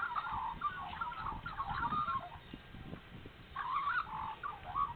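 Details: Australian magpies singing early on a spring morning in Nowra, New South Wales, after being fed: warbling, fluting phrases that rise and fall, in two bursts separated by a short pause, over a steady low background rumble.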